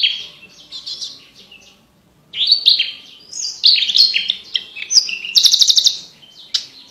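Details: High, varied warbling from a Javan bush lark kept for training contest birds. A soft opening phrase, a brief silence, then rich chattering notes ending in a rapid buzzy trill.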